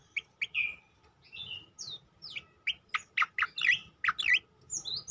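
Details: Varied song of a striated grassbird, used to train and provoke other birds: scattered high whistled slurs, then a dense rush of chattering notes, ending in thin rising whistles.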